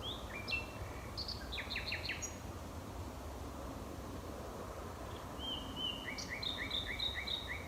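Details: Territorial male nightingale singing late at night in dense rewilded hedgerows, Knepp, West Sussex, May 2018: varied whistled and chirping phrases, a pause, then a pure whistle leading into a run of repeated notes.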